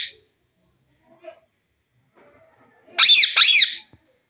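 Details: Pet green Indian parrot, or desi parrot, indoors: near-silence, then one sharp double squawk, harsh and pulsing, lasting under a second.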